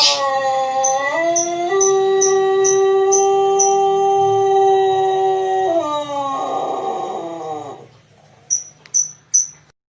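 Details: Champion Pelung rooster from Arjasari, Bandung Raya, giving one long crow: a rising opening, then a steady melodious tone held for about four seconds, stepping down into a rough fading tail, followed by a few brief high chirps.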